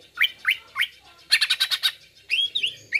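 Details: Brief greater green leafbird lure song: three sharp upslurred whistles, a quick stuttering run of harsh chips, then sweeping whistled slurs.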